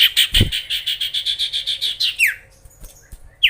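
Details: Magpie-robin singing to provoke rival birds: a rapid run of about a dozen short repeated chirps near the same pitch, then a falling slur and brief quiet with soft clicks before a final rising note.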